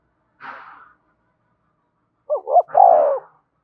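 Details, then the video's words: Spotted dove giving a provoking call: after a brief breathy rustle, one phrase of two quick rising notes and a long, soft, falling coo. "tiếng cu gáy thúc và gáy gọi"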